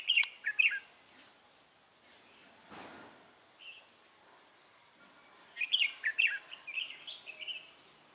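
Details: Red-whiskered bulbul at a bird trapping outing on 3 November 2018 gives brief chirpy warbled phrases, then a longer run of rapid bright notes after a rustling disturbance.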